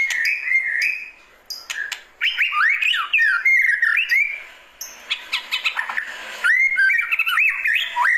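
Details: White-rumped shama singing its classic calling song: looping whistles, sharp clicks and bursts of fast varied notes, with rising sweeps between short pauses.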